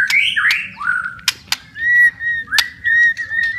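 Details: White-rumped shama singing, used as a prompt for lazy or stressed shamas: slurred descending whistles, sharp clicks, then long, steady, pure whistled notes held near one pitch.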